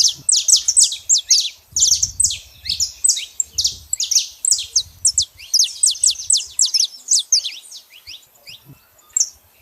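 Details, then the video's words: Outdoors in nature, a saffron finch sings a long, lively stream of high, crisp downslurred chips, dense at first and then slightly looser, with faint low rumble at times. "canário da terra fazendo barulho na natureza"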